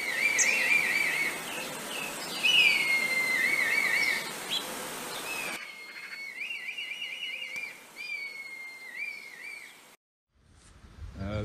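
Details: Red kites in Galloway, Scotland, heard before seen, give high, wavering, mewing whistles, several drawn-out quavering calls in a row, over steady wind-like rumble that drops away midway; a brief thump ends it.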